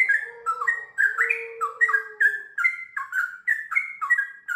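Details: Sooty-headed bulbul singing in the lively 'gacor' style, a 'ngiwir' passage running into long 'ropel' phrases: clear, rich whistled notes in quick, bouncing rising and falling phrases, repeated steadily, over a soft, low, level tone in the first half.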